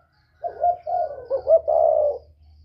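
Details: Spotted dove of the northern style, a whistle-voiced bird used to stir wild doves, giving a run of throaty coos around mid pitch that ends in one long drawn-out coo; a low hum underneath.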